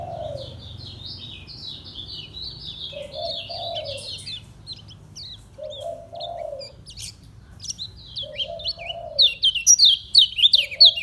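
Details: Lombok lemon-bellied white-eye, kept caged, in a slow ngejos song: sweet, high twittering phrases that grow denser and louder near the end, while a low cooing dove repeats in the background every few seconds.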